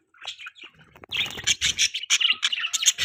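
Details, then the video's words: Budgerigar chirping: a few soft squeaky notes, then dense rapid chatter of buzzy, scratchy chirps and warbles. "Beautiful Budgie Chirping Sound"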